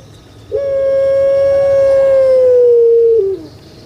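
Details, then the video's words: Puter pelung, a kept collared dove breed famed on Java, Indonesia, used as a lure to get lazy birds calling: one long, steady, hollow coo held for nearly three seconds, then dipping slightly lower at the end. "Pancingan AMPUH UNTUK PUTER PELUNG YG MALAS BERBUNyi"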